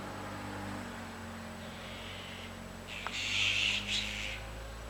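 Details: Azure-winged magpies flocking to feed on persimmons as the fruit ripens. After quiet low hum, a single harsh, raspy burst lasts about a second near the end, with a brief fainter rasp following.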